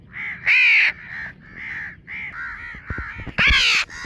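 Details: Young house crow giving rough, nasal cawing calls, two loud arched caws standing out among quieter repeated caws, with a few brief clicks near the end.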